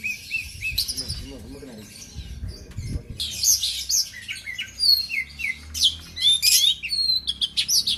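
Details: Caged oriental magpie-robin from Aceh singing: varied loud whistles, sharp slurred notes and quick twittering phrases, with faint background talk and low rumbling noise.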